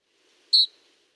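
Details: A Canyon Wren gives a call: one very brief, high, burry whistle with a harsh, trilled edge like a referee's whistle, rather than a smooth whistle.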